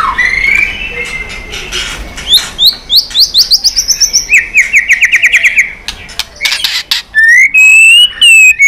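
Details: White-rumped shama singing in competition, flicking its tail and fired up: a rising whistle, then rapid trills and a long series of bright repeated notes stepping upward, a buzzy chattering run, and ringing high whistles at the end.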